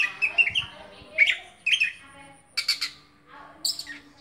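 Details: Oriental magpie-robin kept in a cage for bird contests: short warbled whistles, then sharp, harsh clicks and high buzzy notes with quiet gaps between phrases.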